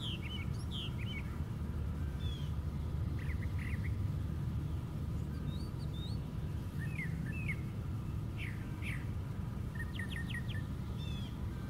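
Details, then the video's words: Brown thrasher atop a white pine singing a long sequence of varied phrases, warbled slurs and chirps, some repeated in pairs, with a quick series of sharp notes near the end; low background rumble throughout. "Brown Thrasher Singing at Top of Pine Tree"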